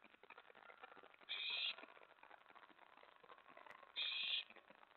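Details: Owls at a nest at night, May 24 2017, as prey is brought in for an owlet. Two raspy, breathy hiss-like bursts sound about two and a half seconds apart over low continuous rustle.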